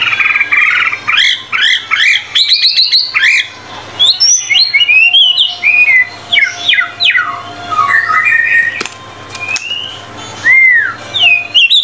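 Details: Energetic tutor song of a White-rumped shama packed with 25 materials: rapid repeated upslurred whistles, then a string of varied chirps, trills and clear sweeping notes, almost without pause, over a faint low hum.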